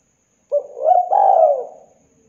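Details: Single mellow coo phrase from a spotted dove (tekukur), played as a lure to get doves singing quickly: a short opening note, a gentle rise, then a long falling coo that fades into quiet.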